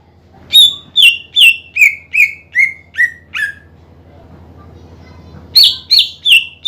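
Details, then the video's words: Greater green leafbird in vigorous song played to stir rival birds into singing, with a descending run of eight ringing whistles, a short silence, then a new high-pitched series beginning. "PANCINGAN CUCAK IJO GACOR MEMANCING EMOSI LAWAN AGAR RAJIN BUNYI"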